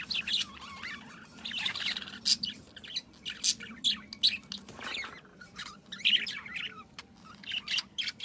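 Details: Morning birdsong among flowers: busy, overlapping high chirps and tweets in rapid clusters, several birds calling almost continuously, over a faint low background hum.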